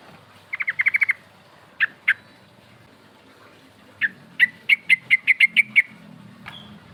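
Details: Rival-calling lure of a sooty-headed bulbul in ngerol style: a quick run of sharp notes, two single chirps, then a longer even series of about nine loud clipped notes before one faint whistle.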